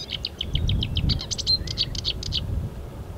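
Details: Marsh warbler (Acrocephalus palustris) song, 15 May 2020: a fast, chattering run of bright, high notes, about ten a second, with sliding whistles, a medley imitating European and African birds, over a low rumble.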